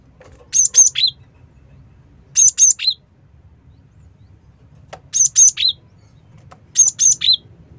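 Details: Lure recording of a cinereous tit: four bright bursts of three rapid high notes, two piercing and one slightly lower, spaced about two seconds apart against quiet low hum.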